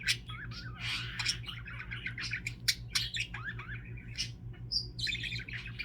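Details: A pet budgerigar chatters nonstop with quick squeaky chirps and buzzy warbles, then gives its funny signature sound near the end, a sharp high whistle that other budgies copy, over a steady low indoor hum.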